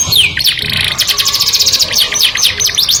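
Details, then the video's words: Canary singing melodiously to attract the opposite sex: a descending whistle opens into buzzy trills and quick slurred notes, followed by fast repeated chirps. "o som melodioso de um canário atrai o sexo oposto junto com o som"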